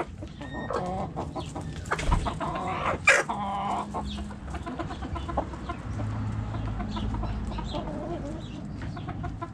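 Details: Backyard coop with hens clucking and roosters: many overlapping clucks, a sharp loud burst about three seconds in, and long low tonal notes over a constant hum.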